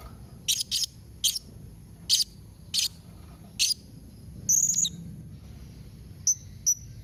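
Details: Calls of a blue-crowned hanging parrot, used to prompt kept birds to reply: a run of sharp, clipped high chips at irregular intervals, then a brief shrill buzz and two thin whistled notes.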